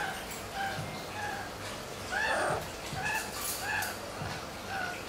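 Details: Blue-fronted amazon saying hello: one short, harmonic spoken word near the middle, set against low background rumble and faint, repeated high chirps.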